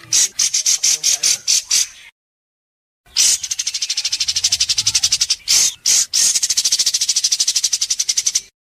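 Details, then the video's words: White-rumped shama in an Indonesian singing competition delivering sharp besetan mimicry that the judges mark at once: fast buzzy rattling bursts near one high pitch, a one-second silence, then a long rapid pulsed rattle broken by short whistled notes. "Masteran besetan tajam!Langsung dikunci para juri"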